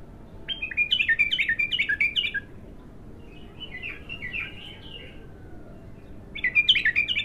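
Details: Untrained bulbul opening up in song for its first time, delivering a fast bubbling series of sharp chirps, then a softer, lower warble, then another bright chirping burst after a pause, over low background noise.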